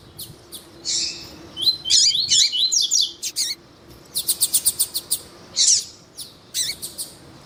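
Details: Double-collared seedeater male song alongside female calls, intended to warm up kept males: scattered sharp chirps, a phrase of quick sliding whistles, then a fast burst of evenly spaced clicking notes and a few closing chirps.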